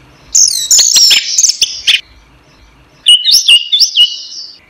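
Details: Orange-headed thrush (anis merah), a caged songbird recording used to train other birds, singing loud rich phrases of slurred whistles and sharp chips high in pitch, two bursts separated by a second of quiet.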